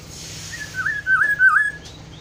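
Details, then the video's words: Kepodang hutan, the black-throated oriole, gives a soft opening whistle followed by two or three clear, liquid, down-up slurred whistles in close succession over steady low background hum. "kepodang hutan ( black throated oriole )"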